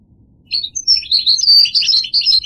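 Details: Unbroken, lively goldfinch warbling: quick high chirps and liquid slurred notes running together, with a faint low rumble behind.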